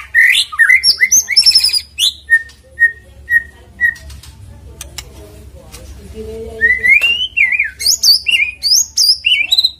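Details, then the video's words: Singing lure of a white-rumped shama to get a bird to sing quickly: rapid high warbles, a row of four evenly spaced short whistled notes, a quiet stretch, then fluted slurred phrases and high chips. "PANCINGAN MURAI BATU AGAR GACOR CEPAT BUNYI"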